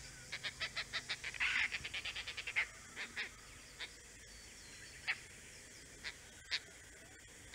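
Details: Oriental dollarbird in the Andaman Islands: a fast series of scratchy rasping notes with a broad harsh burst, slowing into isolated grating calls separated by a second or more near the end.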